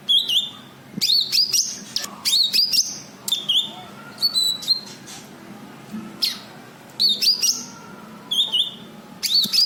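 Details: Cucak kinoi white-eye calls for luring untrained birds: short clusters of clear, high, upslurred and wavering whistles, repeated roughly every second or so with short silent spaces.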